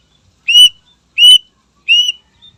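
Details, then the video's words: Greater green leafbird singing to provoke rival birds: three loud, clear, slightly rising whistles spaced about two-thirds of a second apart, with a faint trailing note. "Suara Burung Cucak Ijo Gacor Istimewa Membakar Emosi Lawan"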